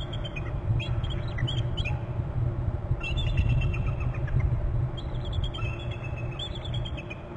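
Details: Two bald eagles trilling as one hops down from a higher perch: three bursts of high thin chittering notes in rapid series, over a constant heavy low rumble of wind or traffic.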